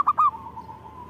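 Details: Zebra dove singing vigorously: two short, clear cooing notes near the same mid pitch, then a long, faint, even tone trailing off over a quiet background.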